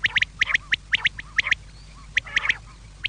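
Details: Quail call for the evening to make quail come: crisp paired and tripled notes repeated about twice a second, a short pause, then a renewed burst, over faint background hum.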